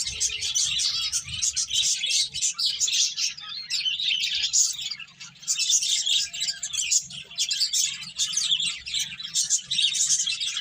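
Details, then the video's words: Finches eating and playing keep up a steady, dense twittering of high chirps for the whole stretch, many birds calling together with brief dips, faint low rumbles early on. "Cute Birds Chirping Sounds | Beautiful Finches Eating and Playing"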